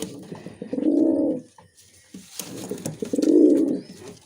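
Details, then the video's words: Two deep, rounded coos from a Musaldom pigeon, a domestic breed, each swelling and fading over under a second, separated by a quiet pause in a small room. "Musaldom Pigeon sound"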